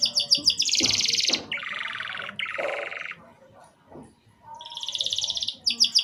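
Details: Interrupted canary song for stimulating young canaries to sing: clipped pulsed notes, a loud high rattle, two lower buzzy rolls, a brief pause, then another high trill and repeated notes.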